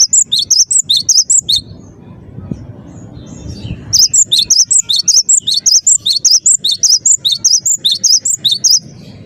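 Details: Energetic song of a cinereous tit: high, sharp whistled notes alternating in pitch, delivered in a fast run, a brief quiet gap, then a longer steady series of about twenty ringing notes.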